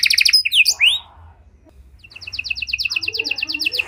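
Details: Panda canary in luxurious cengkok song, meant for baiting and training other canaries: a fast high trill and sweeping upslurred whistles, a short near-silent pause, then a steady rapid chattering trill building in loudness.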